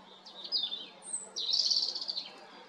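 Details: European robin singing in spring: thin, high, silvery phrases, a wavering note sliding down, a very high whistle, then a longer run of rapid trilled and tumbling notes ending in a descending slur; faint background hiss.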